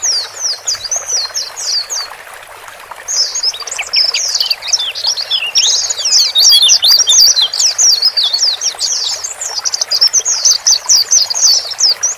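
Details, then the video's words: Male and female white-eyes twittering to coax a new bird from a crowded cage into settling alone; fast chirped phrases, a short lull near the second second, then dense, rapid high twittering. "Pancingan Relaksasi Pleci Supaya Cepat Adaptasi Di Sangkar Baru"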